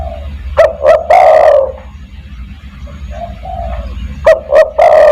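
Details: Spotted dove giving its lure call to bring other doves: a loud phrase of two quick hoots and a long falling coo, soft cooing in the gap, then the phrase starting again.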